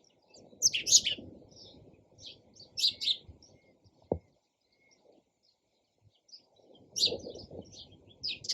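Sparrows chirp in quick, irregular bursts of short, high notes, with a brief gap mid-way and a soft low rumble of background noise.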